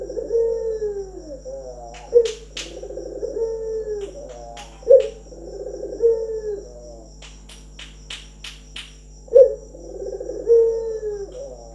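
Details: Trained local Barbary dove delivering repeated low rolling coos, each phrase ending in a brief accented note, about every two to three seconds, with scattered sharp clicks and a steady background hum.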